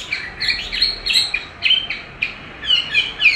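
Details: Chinese hwamei being trained by playback of its own recorded song: short bright whistled notes, some rising and some falling, in quick separated bursts.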